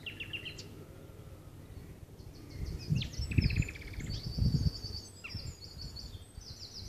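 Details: Nightingale singing at Loxwood on 18 April 2015, recorded on a Samsung phone: thin, high repeated trills and whistled phrases with short pauses between them, partly masked by heavy low wind rumble and gusts.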